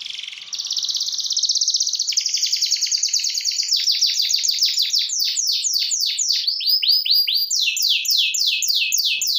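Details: Canary singing vigorously (gacor) to call a rival and set other canaries singing: a long unbroken high song of rapid trills and repeated sweeping notes, some rising and some falling, its phrases changing pace throughout.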